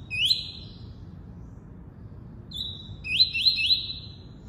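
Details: Double-collared seedeater, tuí-tuí song type: a single upswept high whistle, a pause of two seconds, then a level tone and a rapid series of three rising whistled notes, each clipped and bright.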